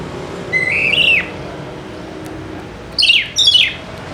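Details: White-rumped shama singing, used as a lure to make quiet birds start singing: a rising then falling whistled phrase near the start, a pause, then two short descending sweeping notes close together.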